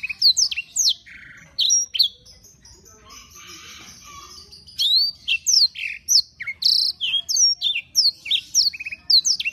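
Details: Energetic canary in full song: rapid high sweeping whistles and chirps, a brief buzzy rattling stretch mid-phrase, then a dense run of repeated downward-slurred notes about twice a second.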